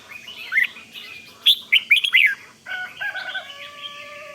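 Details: Red-whiskered bulbul calling in the 'rik' style to get other bulbuls worked up. Quick, twisting chirps peak at mid-clip, followed by level sustained tones stacked at two pitches toward the end.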